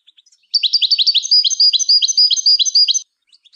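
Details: European goldfinch singing to teach and stimulate other songbirds: one continuous two-and-a-half-second run of quick, bright, slurred twittering notes, evenly repeated, with soft chips before and after.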